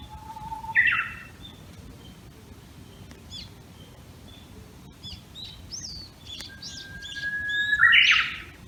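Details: Two full 'hō-hokekyo' songs of a Japanese bush warbler at dawn in a Tokyo Tama bamboo grove, 26 May 2019. Each is a sustained whistle followed by an abrupt, higher burst, with soft scattered twitters between the songs.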